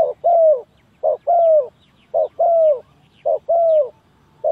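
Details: Spotted dove calling as a trapping lure, four steady phrases and the start of a fifth, each a brief coo then a longer falling coo, repeated about every second.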